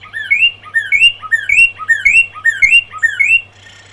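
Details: A Northern cardinal at dawn repeats a rich, slurred two-part phrase about every half second, a bright swoop falling then rising, with a faint low electrical hum underneath.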